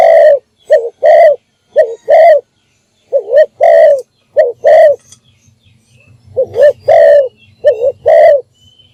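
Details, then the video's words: Morning decoy call of a spotted dove used to lure wild doves: repeated pairs of husky coos, a brief wavering note then a longer one. A pause midway carries a faint low rumble before the cooing resumes. "นกพิราบดัง birds - เสียงนกร้องตอนเช้าเพื่อเรียกนกของคุณ"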